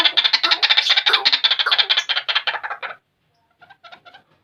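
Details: White-breasted waterhen calling: a rapid run of harsh, scratchy repeated notes, about three seconds long and gradually fading, then a pause and a few softer, quieter notes.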